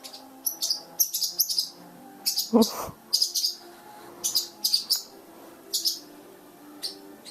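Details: Young blue parrotlets just over a month old, fledging and taking first flights indoors at home; short high chirps in bursts, about a dozen across the stretch, with a woman's encouraging voice midway.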